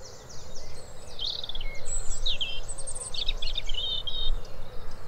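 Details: European Robin giving a melancholy song: thin, high, varied warbling phrases with sweet whistles and quick trills, broken by short pauses, over a steady low background hum.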